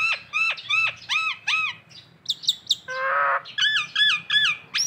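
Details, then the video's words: Nias hill myna of local stock on a masteran training recording: arched, harmonic whistled notes repeated about twice a second, a short high chatter, one harsh rasping note, then more arched whistles. "masteran jalak Nias lokalan aja"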